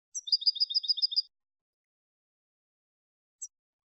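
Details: European goldfinch singing the clean malagueño style used to train goldfinches: a fast, even, high twittering trill of about a dozen paired notes lasting a second, then one lone thin note after a pause, with no background noise.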